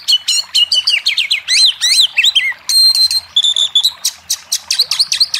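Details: Oriental magpie-robin singing, played to prompt silent birds to answer: quick chattering runs of bright slurred whistles, a short steady trilled passage midway, then evenly spaced high chips.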